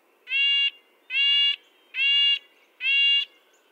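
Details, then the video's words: Red-breasted nuthatch giving four nasal, tin-trumpet-like calls, each a rich harmonic note about half a second long, spaced nearly a second apart, against a quiet background. "Red-breasted nuthatch sounds, Sounds of the Canadian Nuthatch"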